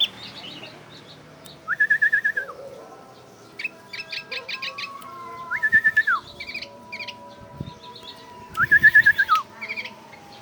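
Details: Oriental white-eye imitating a bulbul: loud, bright trills arched in pitch, repeated three times, with sharp high chirp clusters between them.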